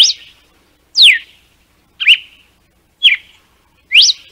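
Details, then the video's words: Red-cowled cardinal giving its "açoite" song, used to teach young birds: five clear, high whistled notes about one per second, some sweeping down, others rising, with quiet gaps between. "GALO DE CAMPINA DO NORDESTE - CANTO DE ACOITE PARA ENSINAR FILHOTES"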